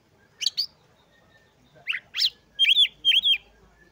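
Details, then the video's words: Oriental magpie-robin singing, played as a lure for lazy birds. Paired harsh chirps come first, then two rising notes, and finally two clear swooping whistles given in quick succession. "TERAPI PANCINGAN KACER LELET MALAS BUNYI LANGSUNG GACOR"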